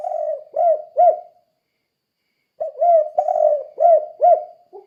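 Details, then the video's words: Spotted dove, a vocal bird used to train other doves to sing, giving the "kuk 2" style coo: phrases of four mellow cooing notes, a short, a long drawn, then two arched notes, repeated after a pause of about a second. "Suara Burung Tekukur Kuk 2 Gacor Untuk Melatih Tekukur Lain Biar Ikut Gacor"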